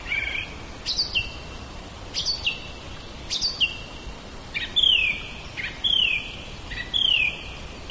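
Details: Zoom H2n portable recording of a common blackbird (Turdus merula) in a back yard: sharp rising notes, then a run of clear descending whistles about once a second, with low steady noise underneath.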